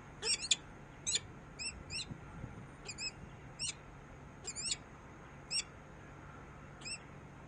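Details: Sparse shrill calls of a peregrine falcon from Harrisburg, USA: single or paired high, sharply inflected notes separated by gaps of about a second, over a soft steady hum.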